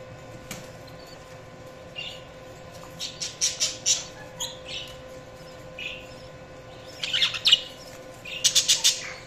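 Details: Budgerigars chirping: clusters of short, bright, high chirps in bursts around four and again near seven to nine seconds, with quieter warbling notes between and a steady low hum underneath.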